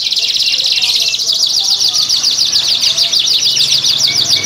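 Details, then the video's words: Canaries in breeding condition in a Klaten, Indonesia breeding room, singing to stimulate hens. A steady, rapid, high trill rolls on for the whole clip, busy and overlapping. "Pancingan Kenari Gacor, Betina Langsung Ngleper, Kenari BUNYI BIRAHI Ngerek"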